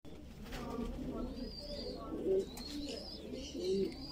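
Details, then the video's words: Voorburg Shield Cropper pigeon chick, a fancy pigeon breed from the Netherlands, begging while being fed; low murmuring throaty notes with two brief louder squeals, thin whistled chirps from other birds above. "baby pigeon feeding"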